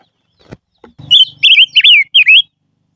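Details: Faint low knocks and thumps lead into a silver-eared mesia's lure song: four loud, slurred whistles that wave and dip, delivered in close succession.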